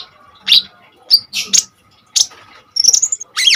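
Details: Common iora singing with strong bursts, used to tutor untrained kolibri ninja birds: scattered single high chirps about every half second with pauses, then a sweeping whistled phrase and a final burst, over a faint steady hum.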